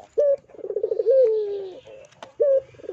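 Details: A calling dove (puter) coos low and soft: a short rising note swells into a long, gently falling purr, led by quick throaty rolling notes, restarting after about two seconds; used as a lure call to prompt other doves to coo.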